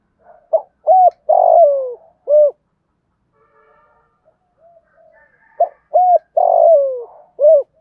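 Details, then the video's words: Decoy spotted dove calling to wild doves in the morning. Two low, hollow coo phrases about five seconds apart, each with brief notes, a drawn-out downward-sliding coo and a short final note. A quiet pause falls between them. "Tiếng chim cu gáy mồi gáy gọi bổi buổi sáng. cu cườm gáy gọi bổi nghe gáy theo liền"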